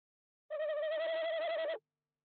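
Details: A tawny owl inspecting an owl nest box in January, before the breeding season, gives one drawn-out, mid-pitched hooting note with a slight quaver, held for just over a second, against a quiet background.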